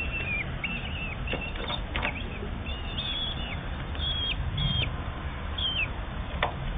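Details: Common kestrel nestlings aged 8–10 days give thin, high, falling squeals in quick bursts during feeding, over a steady low rumble and some rustling.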